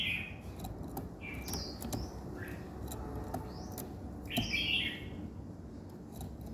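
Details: Birds singing in the morning: short bright whistled notes and a brief rising phrase, with a louder chirpy burst near the end, over steady clicking and tapping sounds.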